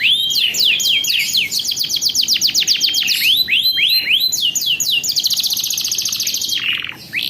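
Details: Canary delivering a long rolling song used as a model for young birds learning to sing, with fast series of high descending whistled sweeps, rattling trills, and a short lower buzzy burst near the end.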